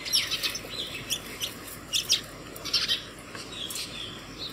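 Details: Morning house sparrow chirps at a home feeder, summoning other sparrows to food; short sharp notes, roughly one every second, somewhat irregular, with faint low hum.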